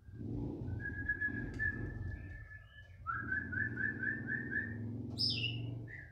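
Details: ["Young forest-caught white-rumped shama excited by another shama's song. It gives a long level whistle, then a row of about eight quick repeated whistled notes, then a sharp high note, over a steady low hum."]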